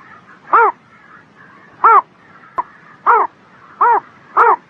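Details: Spring-morning birdsong: rounded, rich notes with an up-and-down arch, delivered at a steady, unhurried pace, with a faint click between notes and quiet background twittering.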